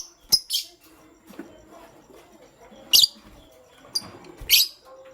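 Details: Shrill chirps from pastel gray and green lovebirds in the morning: short, piercing notes spaced irregularly, a pair at the start, then single bursts about every second, with faint low background murmur.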